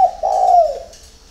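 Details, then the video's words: Spotted dove cooing early in the morning at a bird garden in Ba Vì, Hanoi, Vietnam: a short opening note followed by one drawn-out, mellow coo that slides gently downward. "CU GÁY SÁNG SỚM"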